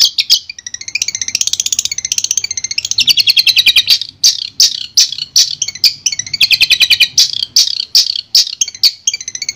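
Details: Clear master recording of a Madura long-tailed shrike: long warbling chatter of rapid notes, then a run of sharp chips and short trills.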